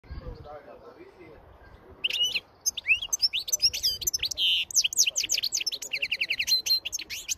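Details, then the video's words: A wild (field-caught) European goldfinch sings a fast, tinkling run of high twitters, liquid trills and buzzy notes after two seconds of quiet background murmur. "Detalles de un jilguero campero"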